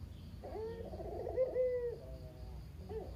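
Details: Local Barbary dove (kugeru) kept at a family home, lone survivor of a pair, cooing as a lure for silent doves; one low rolling coo with a fluttering middle and a drawn-out sliding end, then a faint short note.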